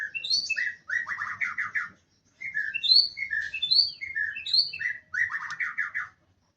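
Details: Wild male white-rumped shama in full song, delivering a long run of loud, varied phrases: rapid trilled warbles mixed with clear rising and falling whistles, separated by brief pauses of under a second.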